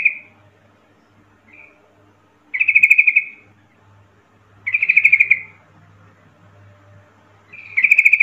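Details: Yellow-vented bulbul lure call for provoking other bulbuls to answer: short bubbly chatters repeated about every two seconds, with quieter fragments between and a faint low hum behind.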